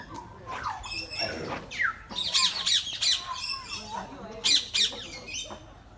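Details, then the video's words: Many birds calling together at Bangabandhu Sheikh Mujib Safari Park in Gazipur, Bangladesh: shrill, harsh squawks and high chattering notes come in quick irregular bursts, with people talking in the background. "Birds Making Nice Sounds at Gazipur Safari Park"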